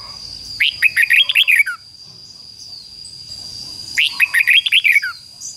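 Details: Red-whiskered bulbul decoy bird singing to lure wild rivals to fight: two matching phrases of seven or eight quick, sweet, warbled whistles, about three seconds apart, with a steady faint high tone throughout.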